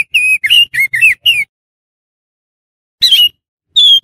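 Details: Oriental magpie-robin lure sound for attracting wild magpie-robins: a quick string of five downslurred whistles, then a pause, a harsher burst, and one long falling whistle.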